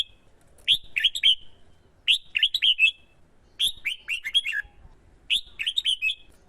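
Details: Male red-whiskered bulbul, caged and prompted by a female, singing competitively as a decoy to lure wild birds: four bursts of quick, bright warbled phrases, each a run of five or six slurred whistled notes, separated by short pauses.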